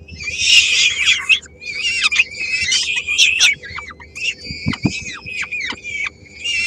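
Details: At a Helmond peregrine falcon nest, 13 May 2016, the female arrives with a small bite for three-week-old young, some of whom snatch it. Rasping wails alternate with clipped, downward-slurred squeaks and brief gaps.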